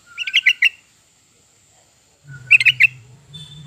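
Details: Lure recording of a sooty-headed bulbul for stimulating pet birds: two quick bubbling phrases, each a soft lead-in note then four bright warbled notes, the second accompanied by a low droning hum.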